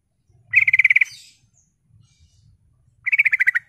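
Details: Sooty-headed bulbul in full voice, played as a lure to draw replies from other bulbuls. Two quick bursts of about nine even, chattering notes, separated by a pause of nearly two seconds.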